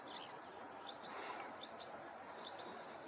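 A Whinchat gives short, high, sharp notes, one roughly every second, over a steady hiss of outdoor background noise.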